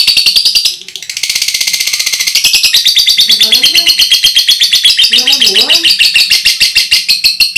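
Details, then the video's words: Lovebird ngekek, loud, recorded as a training tutor for other birds: high grating chatter that dips briefly near the start, then resumes as quick pulsed notes about two per second, with low wavering voice-like sounds in the background. "love brid ngekek suara keras"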